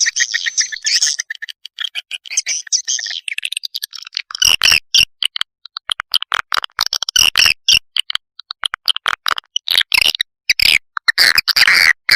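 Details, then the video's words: Lure call for attracting swiftlets, opening with a steady high buzzy chatter, then turning into rapid, dry clicking and chirping bursts in an uneven stream. "Suara Panggil Burung Walet"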